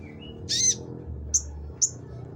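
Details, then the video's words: Konin singing gacor, energetically: a thin high whistle, then a loud buzzy chirp, followed by two short bright high notes spaced roughly half a second apart against a low constant hum. "konin gacor"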